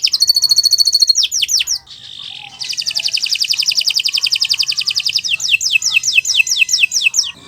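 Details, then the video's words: Loud canary song meant for training other birds: quick trills and downward sweeps, a short harsh buzz, then a long even rolling trill lasting nearly three seconds, ending in falling whistled slurs. "Kicau Burung Kenari 178 II LUAR BIASA GACOR PANJANG Cocok untuk Masteran"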